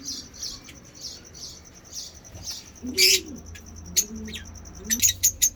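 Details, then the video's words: Caged African lovebird mutations chatter in the ngekek style. A faint, rhythmic, high ticking is followed by loud, scratchy chirps and a quick cluster of sharp notes near the end. "lovebird ngekek"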